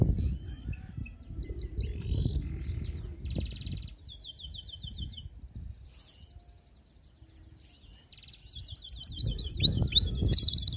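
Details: Canary song heard more faintly: scattered whistled notes and short trills, a quiet lull in the middle, then a louder burst of rising swept syllables near the end over steady low background noise.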